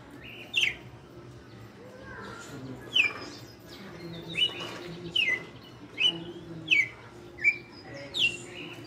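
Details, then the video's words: Red-cowled cardinal, a caged veteran kept for five years, singing in the açoite style: short sharp descending whistled notes repeated roughly every second, about eight in a row, over low background hum. "Galo de campina no AÇOITE"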